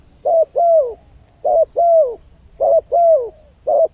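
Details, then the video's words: Spotted dove lure call used to attract wild birds: repeated cooing, a short coo followed by a longer falling coo, the pattern repeating roughly every second in a quiet setting. "suara pancingan burung tekukur, untuk mendatangkan burung liar."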